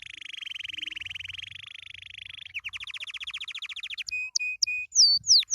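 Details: Canary singing happily: a loud, even trill of rapid notes, then a slower pulsed roll, followed by short repeated whistled notes and sweeping downward whistles, clear and unmasked.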